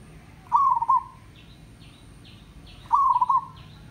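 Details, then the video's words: Trilled, rolling coos from a village zebra dove, two in total, about two and a half seconds apart. A series of faint, higher slurred whistles from another bird fills the gap. "MERBOK KAMPUNG TANDANG - MASTERAN PERKUTUT AGAR RAJIN BUNYI"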